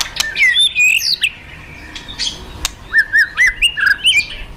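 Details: White-rumped shama, a fighter bird, provoked to fight: a short whistled phrase, a quiet gap with a sharp click, then a run of repeated rising whistled notes, about six in quick succession.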